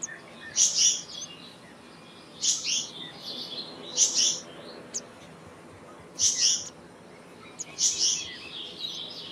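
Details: Repeated harsh, buzzy high calls of a black-naped monarch, five short doublets spaced about two seconds apart against a quiet background.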